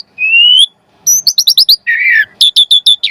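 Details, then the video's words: Song of an Asian pied starling, played to get other birds singing: a long rising whistle, then rapid paired chips, a rough buzzy note, and more quick repeated chirps. "Jalak Suren Gacor Pancingan Burung Jalak Agar Cepat Mompa Gacor"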